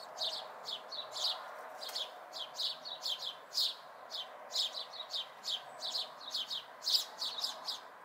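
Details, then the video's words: Local House sparrow fledglings in May 2020 giving a constant stream of harsh, high chirps, several birds overlapping in rapid, uneven bursts over a soft background hum. "House Sparrow Fledglings"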